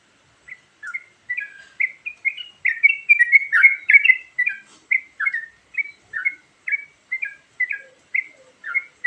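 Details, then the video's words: Varied bulbul lure song from a yellow-vented bulbul that starts sparse, builds to a busy cluster of warbled chirps, then settles into regular slurred notes. "Suara Burung Trucukan Isian Variasi"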